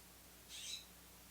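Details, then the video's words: A Blue Jay outside an open door in a backyard, looking for peanuts, gives a single harsh, raspy jeer lasting about a third of a second, distant and faint over a low indoor hum. "left the door open. I don't know if you can hear Blue Jays out there."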